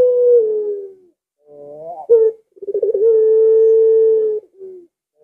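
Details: Not very aggressive puter collared dove: a falling coo, a rising phrase with an accent note, then a long level 'lengkungan' coo after quick pulses, ending on a short low note.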